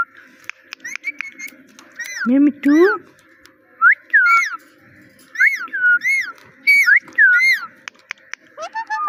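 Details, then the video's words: Pet parrot mimicking speech, repeating "Mitthu" and "meow" over and over: short high rising-then-falling whistled syllables in pairs, a couple of lower voiced notes, and clicking sounds in the background. "Funny Parrot Talking – Mitthu Mitthu Moments!"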